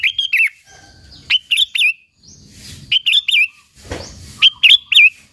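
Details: Sooty-headed bulbul singing briskly as a lure for other bulbuls: repeated quick phrases of three or four looping, liquid notes, about one per second, with a brief burst of broadband noise midway.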